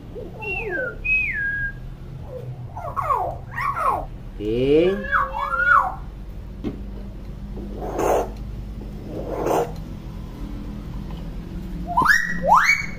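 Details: Chattering hill myna, kept to tutor young mynas: falling whistles, rapid warbled and speech-like phrases, wavering tones and harsh scratchy bursts, ending with sharp rising whistles, over a steady low indoor hum.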